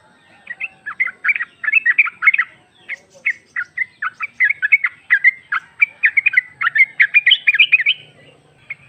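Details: A female sooty-headed bulbul calling for a male, used as a lure, gives a long continuous flow of quick chattering notes for about eight seconds, some phrases denser, some spaced.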